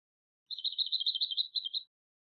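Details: A lesser whitethroat in Bydgoszcz parks, recorded April–August 2023, gives a dry, rapid rattle on one high pitch, about ten notes a second for just over a second, against silence.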